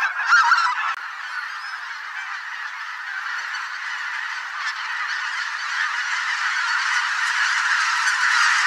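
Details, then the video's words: Thousands of migrating geese in a spring swamp, possibly greater white-fronted, bean, barnacle and pink-footed geese, honking nonstop in a dense overlapping roar of nasal calls that swells steadily louder, with individual honks lost in the wall of sound. "Geese - large flock of migrating birds in spring"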